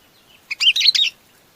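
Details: Sooty-headed bulbul calling its flock with one brief, chattery burst of bright, mixed whistled notes.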